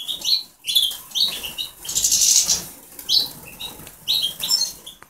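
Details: European goldfinch song: quick, bright twittering phrases of liquid chirps and tinkling notes, with a brief burst of harsh buzzy rasping in the middle, delivered in lively bursts separated by short pauses.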